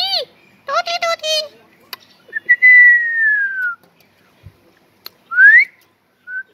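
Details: Pet Kashmiri ringneck parakeet whistling indoors: a few harmonic chattering notes, then a long falling whistle and a short rising one, with sparse clicks between.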